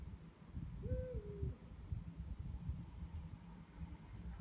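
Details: Night calling of two Eurasian eagle-owls: one clear drawn-out hoot that starts higher and slides down, heard over heavy low rumbling background noise.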